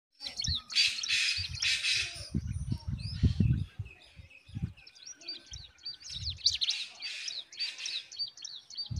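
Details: Hungry Bulbul nestlings being fed by their mother give rapid, thin, high chirps that overlap in an excited stream. Low thumps and rustling break in during the first few seconds.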